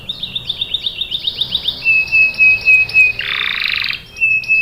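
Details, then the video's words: Canary singing a lure song meant to prompt young canaries to join in: a quick run of descending chirps, then a long steady whistle, a dense buzzy roll, and the whistle returning. "PANCINGAN KENARI GACOR CUIT CUIT memancing kenari paud ikut BUNYI | CANARY SINGING"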